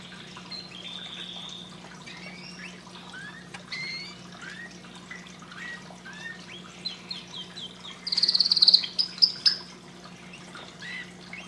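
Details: Canary singing to stimulate breeding: a soft rambling run of varied high chirps and slurs, then a louder burst of rapid sharp trilled notes near the end, over a constant low hum.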